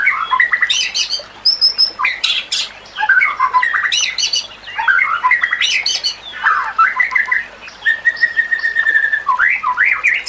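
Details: Dense, loud White-rumped shama song for training other shamas, mixing squawky harsh notes, very high thin tinkling series, mid-pitched whistles and one steady held whistle, in rapid, restless phrases.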